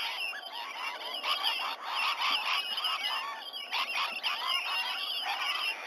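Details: Rainbow lorikeets in the wild crowding in and around a sea-eagle nesting tree, Sydney Olympic Park, Australia, past 7 a.m. on 19 November 2020, nest camera audio; raucous overlapping screeching and chattering from a large flock, loud and unbroken throughout.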